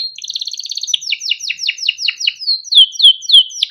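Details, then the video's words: Captive male canary in long 'cuit cuit ngerol' song, a training recording for young birds: a quick buzzy trill opening into a series of downward-slurred chirps, then bright rising whistled notes repeated about three times per second. "burung KENARI CUIT CUIT NGEROL untuk pancingan kenari biar gacor || kenari gacor panjang"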